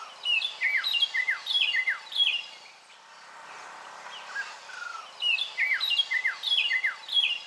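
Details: Pearl-spotted owlet (Glaucidium perlatum) near Lake Baringo, Kenya, giving a series of loud, falling whistled notes, about one every two-thirds of a second, broken by a brief pause before resuming.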